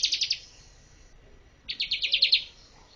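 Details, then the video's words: Bar-winged prinia song for bird training, two short bursts of quick high chirps, about five and eight notes, separated by a one-second gap. "MASTER BIRD CHIRPING BAR-WINGED PRINIA SINGING"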